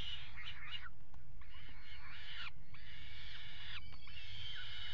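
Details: Peregrine falcon at a nest box on a water tower, 5 February 2018, mating on the ledge: four harsh, drawn-out, wailing calls, each under a second long, rising and falling with rich overtones, separated by short pauses over steady low rumble.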